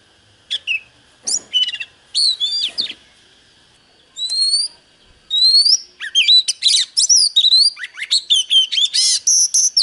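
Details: Oriental magpie-robin answering a wild bird: sparse sharp notes, then clear upslurred whistles, building into a dense, fast sequence of ringing whistles and trills.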